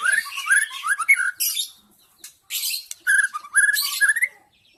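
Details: White-rumped shama lure song to attract wild shamas, taken from a forest bird: quick rising whistled notes strung in short bursts with harsh high rasps, a brief pause midway, then another burst.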